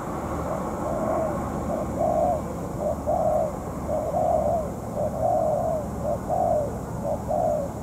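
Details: Spotted dove ground decoy, molting, used to trap a wild dove. Clear rounded coos in steady phrases, about one per second, against a soft hiss.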